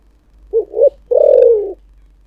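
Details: Spotted dove with a 'thổ sấm' style voice gives one phrase: a quick pair of soft hooting notes, a brief pause, then a drawn-out, slightly falling, buzzy-edged coo against near silence.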